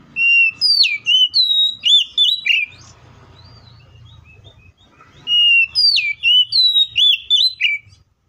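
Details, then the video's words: Oriental magpie-robin's energetic fighting song, meant to stir other magpie-robins to sing: two bursts of about eight loud, rapid whistled notes with sharp upward flicks, separated by a quiet pause with faint background rumble. "KACER GACOR FULL ISIAN MEWAH TARUNG NGEPLONG NGOTOT❗PALING AMPUH BUAT PANCINGAN KACER AGAR BUNYI!"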